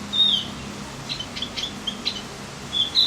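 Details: Javan grey-throated white-eye song meant to excite other birds: a thin high whistle, a run of soft quick chips, then a final bright whistled note over steady background noise.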